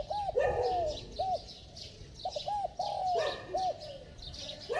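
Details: Spotted dove giving bell-toned cooing mixed with rapid coos. Rounded, mellow hooted notes fall in short bursts, some doubled quickly, with brief pauses between. Soft twittering of other birds is heard in the background.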